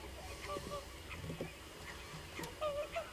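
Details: Common cranes in a large gathering, with faint, short trumpeting calls at two moments: one early and one more drawn-out near the end, against soft continuous background noise.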